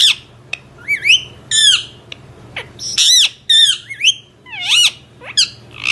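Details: A talking ringneck parakeet gives about ten shrill, bending, word-like bursts in quick succession, sharp and high, with a faint indoor hum beneath.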